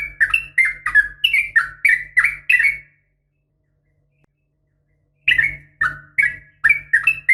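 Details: In the morning, a female sooty-headed bulbul calls to attract males: rapid chains of bubbly, warbling chirps, a pause of about two seconds, then another lively run, with a low background hum.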